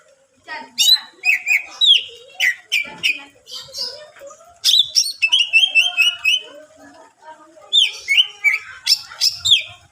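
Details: Greater green leafbird in rich, varied song aimed at provoking other leafbirds, pouring out continuous phrases of slurred whistles, rapid trills and harsh chattering notes with brief breaks.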